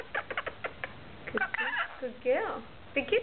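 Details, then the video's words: Rainbow lorikeet talking and chattering: a run of short voice-like syllables with layered tones, then longer warbling phrases with bending, sliding notes and a bright upturned note near the end. There is no other clear sound. "Tootsie Talks Rainbow Lorikeet"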